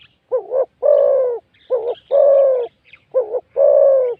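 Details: Wild spotted dove cooing during a decoying session with a caged decoy bird, described as a big-voiced, fine singer. Deep, rich coos come in three phrases, each a quick double note followed by a longer drawn-out coo, with no other noise.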